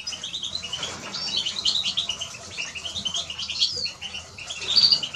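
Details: Eurasian siskin song: a steady stream of thin, high twittering notes with occasional brief louder bursts and a sharp note near the end.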